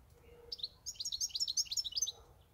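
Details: Goldfinch, kept as a pet for eight years, giving a quick, high, tinkling twitter of bright liquid notes and short trills for about two seconds over a faint low hum.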